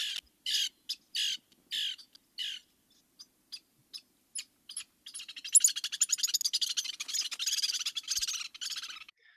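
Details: Lewis's woodpecker (Melanerpes lewis), Sierra Nevada region, gives contact calls between mates meeting at the nest tree bringing food to the incubating female or nestlings: about five harsh, raspy high calls, soft ticks, then a rapid dry churring chatter.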